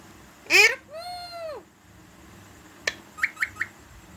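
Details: Talking parrot saying its name, rupu: a sharp harsh squawk, then a drawn-out arched whistled syllable, a pause, a click, and three quick rising chirps.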